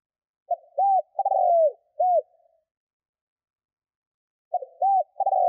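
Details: Spotted dove cooing, used to lure wild birds: a short note, an arched coo, a long throaty rolling coo and a final arched coo, the phrase given twice about four seconds apart in otherwise silent surroundings.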